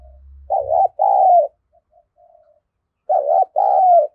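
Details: Decoy spotted dove calling to attract wild doves. Two low cooing phrases come about two and a half seconds apart. Each has a quavering first note and a longer sliding second note. A faint low hum is heard at the start.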